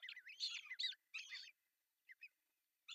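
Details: At a Finnish osprey nest in Pohjois Satakunta on June 10, 2024, the male brings a large fish for breakfast. Dense, loud, high piping chirps for about a second and a half, then a few isolated short notes after a silence.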